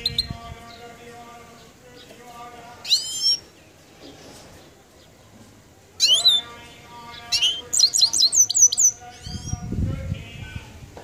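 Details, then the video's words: Goldfinch giving bursts of high, sharply sweeping and descending twittery notes in short clusters, with a rapid run of repeated chirps near the end, over a steady harmonic droning tone and some low rumble. "Mama yarana goldfinch"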